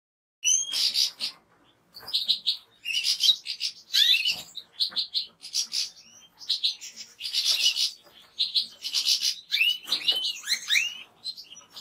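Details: European goldfinch singing a rapid, continuous twittering song of liquid chirps, short trills and upward-curving notes, with brief pauses between bursts over twelve seconds.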